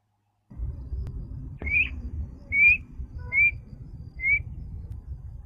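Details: Black-winged kite, also called black-shouldered kite, giving a call produced only in the breeding season: four thin, high, slightly rising whistled notes spaced about a second apart over low background rumble.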